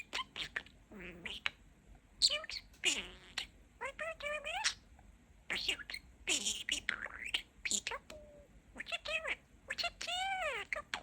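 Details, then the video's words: A talking budgie rattles off strings of shrill, speech-like syllables in bursts of two to three seconds, mixing mimicked words with chirps and rising and falling whistles. "Talking Parakeet"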